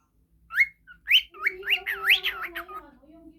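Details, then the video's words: Whistling pet budgerigar, recorded as tutor material: a few separate rising whistles build into a quick chain of swooping notes over a steady low droning voice-like tone. "parrot sings"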